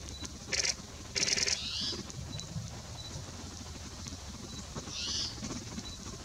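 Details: A Spotted Towhee at Prince Edward Point National Wildlife Area, Ontario, on 20 November 2019 gives two brief, buzzy, downslurred mewing calls a few seconds apart, with bursts of rustling and scratching in dry leaves.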